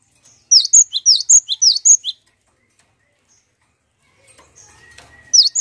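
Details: Cinereous tit song played as a lure to prompt other birds to sing: a quick burst of bright, high chirped notes in falling two-part phrases, about eight notes in one and a half seconds, then near silence with faint background sounds before one last chirp.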